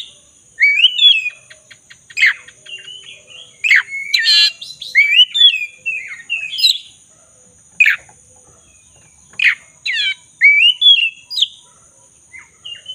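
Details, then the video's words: Black-breasted magpie-robin singing vigorously, used as a lure to restore singing in a magpie-robin that has stopped: varied loud whistled phrases, rising and falling slurs mixed with rapid chattery bursts, over a steady high electronic whine. "Pancingan kacer dada hitam gacor - pulihkan kacer macet bunyi"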